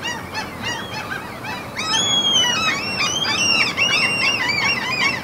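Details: Seagulls at a mountain fjord in Norway, a chorus of overlapping harsh, arched calls from several birds, quick and uneven, growing louder and denser after about two seconds, over a steady outdoor hiss.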